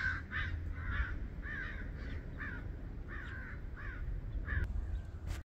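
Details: Crows dive-bombing a female red-shouldered hawk until she leaves, cawing harshly in a rapid series, about eight calls in five seconds, over a steady low rumble of background noise.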